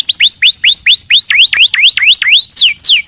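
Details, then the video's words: Canary singing loudly, a rapid series of rising upsweeping whistles shifting into V-shaped up-and-down notes, then long descending slurred whistles near the end. "Suara kenari gacor"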